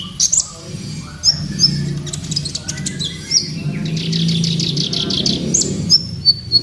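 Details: Kolibri ninja sunbird lure recording for captive birds: high sharp chips and short whistles, a fast run of repeated buzzy notes midway, with a steady low rumble underneath.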